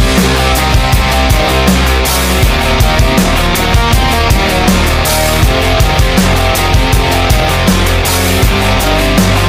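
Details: Loud rock music throughout, with pounding drums, distorted guitar and a steady driving beat, and no animal voice.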